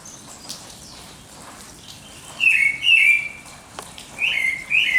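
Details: Dawn song with two pairs of short whistled notes, the first pair around the middle and the second near the end, against a quiet hissing background with faint distant chirps.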